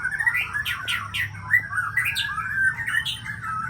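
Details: Aceh-type shama from champion breeding stock singing loud, continuous warbled phrases mixing rich whistles with sharp upward flicks, notes tumbling quickly with little pause.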